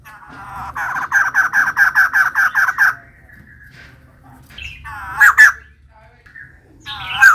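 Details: Female white-crested laughingthrush in active song: a quick series of about a dozen evenly spaced, repeated nasal notes, followed after a pause by a few scattered squawky, rising calls.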